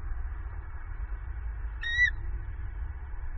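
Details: At a Southwest Florida bald eagle nest on 28 November 2022, after an owl knocked the female off a branch, the pair vocalize and the male gives alarm calls. Here is one brief, thin, high squeal dipping at the end, over wind rumble.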